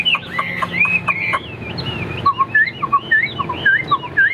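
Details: Caged hwamei singing: rich varied whistles, early notes echoed by chirps, then fast warbled slurs dropping to lower notes.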